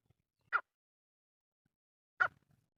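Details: Two clipped, rasping notes from a male grey francolin, recorded for hunting use, about one and a half seconds apart, with faint low rumbling in the background.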